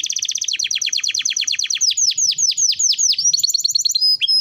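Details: Canary in full song, meant to prompt other canaries to start singing: a fast trill of downward-sweeping notes that slows into longer, louder sweeps before ending in bright whistles.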